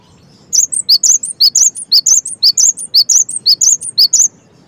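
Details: After a brief quiet start, a cinereous tit launches into a steady string of high, ringing chirps, roughly two each second, in continuous gacor singing over light background hum.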